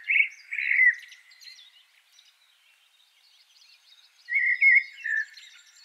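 Common Blackbird singing two mellow, fluted warbling phrases about four seconds apart, each trailing into a thin, high twitter.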